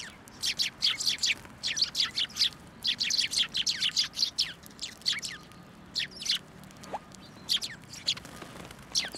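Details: A flock of sparrows gathers at a shrine on 1 January 2024, waiting to be fed from a post. Dense, overlapping high chirps come in rapid clusters, continuing almost without pause throughout.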